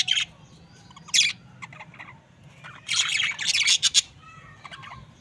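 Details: Two budgerigars, a couple, give loud harsh squawks and scratchy chirps in dense bursts separated by short pauses, with quieter thin chatter between bursts.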